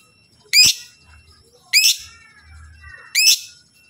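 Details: Lovebird giving piercing chirps to make other lovebirds respond; three harsh bursts spaced around 1.3 seconds, with quiet twittering between and a faint low rumble.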